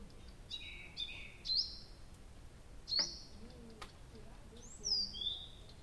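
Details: Nightingale singing through the night in early June at Abramtsevo, recorded from 23:00 on 6 June 2021: sparse, clear whistled phrases, some rising sharply, separated by pauses, with faint low background noise.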